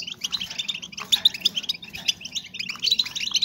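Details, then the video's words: Female European goldfinches twittering to stimulate breeding in males; clustered sharp chirps and tinkling trills from overlapping birds, loudest just after one second and again near the end. "SONIDO HEMBRAS DE JILGUERO PARA AUMENTAR EL CELO DEL JILGUERO"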